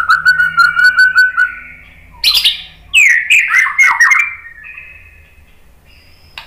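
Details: White-rumped shama song played to provoke other shamas: a rapid run of repeated whistled notes, then squeaky high chirps and a tumbling burst of varied slurred phrases fading into a thin whistle.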